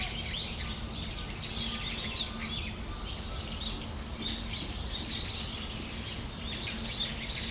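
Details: Afternoon flock of Brown-eared bulbuls in Tamagawadai Park, December: clustered sharp, high squeaky notes and arched chirps from many birds overlapping, with a low steady hum beneath.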